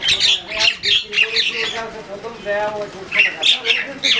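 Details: Several common mynas fighting in Bangladesh give bursts of rasping squawks roughly every half second. Lower, drawn-out harmonic notes run beneath them, and there is a short pause in the middle.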